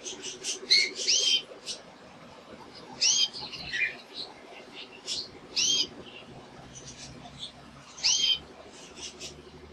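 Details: Male canary singing short bursts of bright, high chirps and sweeping whistled notes separated by brief pauses, over a faint low hum.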